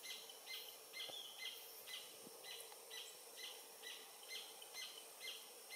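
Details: Paradise Jacamar (Galbula dea dea) singing by the Oyak river, French Guiana, 11:00 on 8 November 2023: bright high notes, each with a lower tick beneath, about two a second in an even rhythm, faint forest noise behind.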